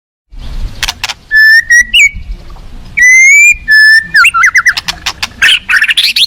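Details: Wild-caught white-rumped shama kept for song contest training. Loud, clear whistles, some held level and others sliding upward, alternate with sharp clicks and a quick burst of rising trilled notes.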